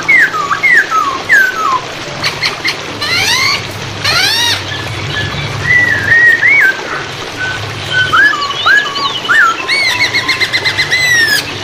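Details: Hwamei training song for competition and home songbirds, played against running water: loud whistled phrases that rise and fall, swoop and slur, with steady splashing water behind.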